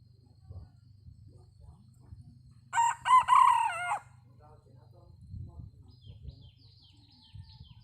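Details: Red junglefowl crowing, one harsh multipart crow lasting over a second, loud and rough, then a low steady hum with faint distant bird chirps afterward.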